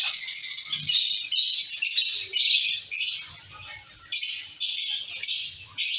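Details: Zebra finch colony in a cage repeating short, loud, nasal high calls in quick succession, nearly two per second, with one brief pause before the series resumes.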